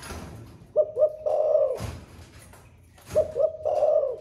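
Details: Spotted dove of the Thổ Pha voice style, a caged bird said to coo all day, heard indoors: two short low coos followed by a longer drawn-out coo, the phrase repeated twice, with room noise between.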